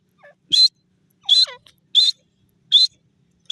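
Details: Grey francolin in forest giving loud, harsh, high-pitched call notes in short bursts about every 0.7 seconds, with softer falling squeaky notes between them and otherwise silent surroundings.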